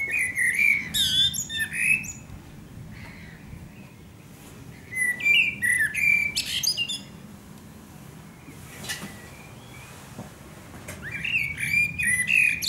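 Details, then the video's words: Wild Eurasian blackbird in song at sunset, Akersloot, Holland, 30-03-2018. Three phrases come with pauses between them, each a mellow whistled warble that ends in a scratchy, high-pitched twitter. "Singing Eurasian Blackbird"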